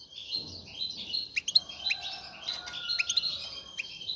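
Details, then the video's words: Caged male European goldfinch singing to stimulate a female to mate; quiet, continuous twittering and buzzy notes over a steady background hiss. "مقنين يغرد بقوة💪, سوف يجبر انثى الحسون🐦 على التزاوج👫"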